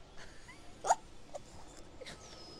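Slow, unhurried woodpecker pecking: three sharp, separate knocks about half a second apart, the first loudest, over faint bird whistles and a soft outdoor hiss.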